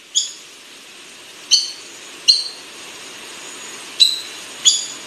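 Buff-banded rail giving five sharp, squeaky high notes at uneven intervals of one to two seconds over a faint steady hiss.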